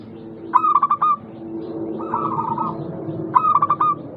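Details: Local zebra dove song for coaxing reluctant doves to sing. Two stuttering phrases of sharp clipped notes frame a softer rippling trill, over a noticeable low rumbling background.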